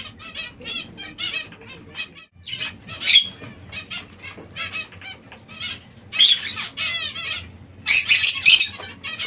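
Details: Several short nasal notes from captive zebra finches pecking seeds and salad, steady at first, then denser loud bursts toward the end.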